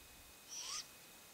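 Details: A great grey owlet, one of three chicks, begging at dusk while both parents are out hunting, gives one harsh, hissing screech of about a third of a second against a quiet background.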